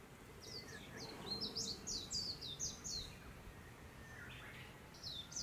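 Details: Dollarbird (Eurystomus orientalis) at Tenryū village, Japan, 2022, during courtship feeding with the male feeding the female: a harsh, rasping chatter of quick notes, about three per second, trailing into scattered calls over a low background rumble.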